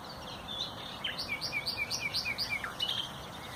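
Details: Nightingale song on 30 April 2021, from a bird that favours dense undergrowth: a rhythmic run of about nine rapid, evenly spaced chirping notes, repeated several per second, ending in a descending slur.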